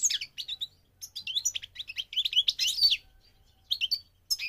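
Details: Goldfinch on migration delivering bursts of quick liquid twittering and buzzy notes, broken by short pauses, then resuming with more bright chirps.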